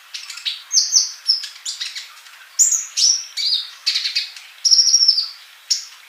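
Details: Energetic male olive-backed sunbird song used as a master for silent young birds: clustered sharp chirps and high sustained whistles, including a trilled whistle near the end.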